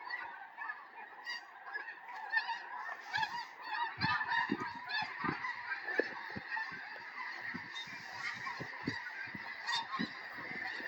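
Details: Hundreds of snow geese descending into a field in Tennessee in winter, days before a historic snowstorm; a thick chorus of overlapping nasal honks, swelling in the middle, with repeated low thumps throughout.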